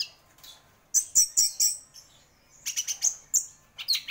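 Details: Orange-headed thrush of champion standard delivering clusters of sharp high chirps in quick groups of three or four, separated by brief quiet gaps.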